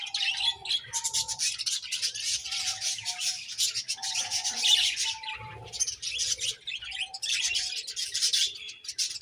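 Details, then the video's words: Several budgerigars chatter and squawk in high, scratchy bursts with short pauses between them. Faint, flat lower tones drift in and out beneath the calling. "Beautiful Budgies Chirping Sounds"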